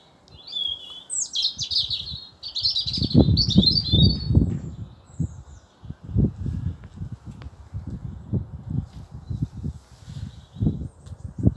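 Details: Robin calling back to a man's whistle in a garden. High, thin, quickly warbled phrases come in the first seconds, and repeated low knocking and handling thumps run beneath.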